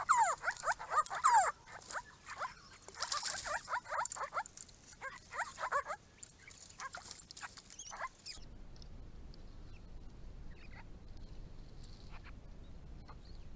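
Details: A group of Grey-crowned Babblers at a pond erected for them on a rural property, calling in a busy run of quick, sharp, slurred chatter notes for about eight seconds, then near quiet with faint distant calls.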